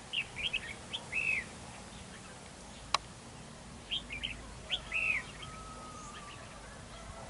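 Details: Red-whiskered bulbul serving as a trap decoy in a territorial fight, delivering quick chirps and arched whistled phrases in two bursts separated by a sharp click.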